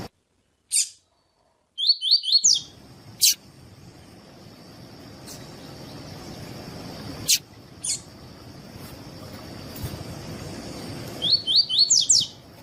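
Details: Double-collared seedeater giving the "tuí tuí" song style, used to teach and warm up other seedeaters. Short bursts of four or five quick rising whistled notes come twice, with clicks and a steady high electronic whine between them.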